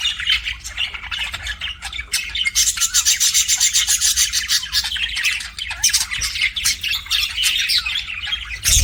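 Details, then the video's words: Rapid raspy chatter from pet budgerigars, fast scratchy pulses about four per second, with a sustained high whistle-like tone in the middle. "BUDGIES CHIRPING SOUND"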